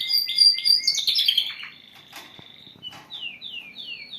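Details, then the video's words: Canary youngsters starting to sing under song tutoring; loud, clear whistled notes and a quick bubbling trill, then a softer pause and a series of four evenly spaced falling slurs. "بداية تغريد فراخ طيور الكناري- التسميع والتعليم👌canary singing"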